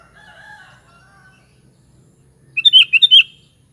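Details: Sooty-headed bulbul giving one lively phrase of five quick, bubbly slurred notes near the end, preceded by faint, drawn-out whistles from another bird in a quiet setting.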